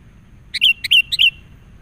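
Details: Wild sooty-headed bulbul, agitated and reacting to a lure bird during trapping: three short, bright, bubbly whistled notes in quick succession, each dipping then leveling, over quiet low background hum.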